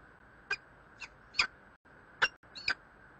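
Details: Peregrine falcon at Bielany: five short, harsh, sharp calls spread over about three seconds at uneven intervals, each a brief scratchy burst, over a steady background hum.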